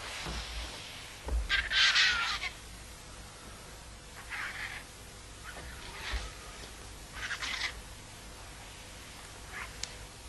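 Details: Griffon vultures gathering noisily at an animal carcass near Tremp, Catalonia, squabble for position in harsh, hissing rasps and croaks, loudest at first then in scattered bursts every second or two, over low wind rumble.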